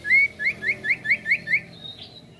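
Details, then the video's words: Sirtu singing a lure song meant to provoke other birds into singing: a long rising whistle followed by six quick upslurred chirps at even spacing, then fainter thin notes fading away. "Pancingan Sirtu Gacor Variasi Ngeroll Mantul"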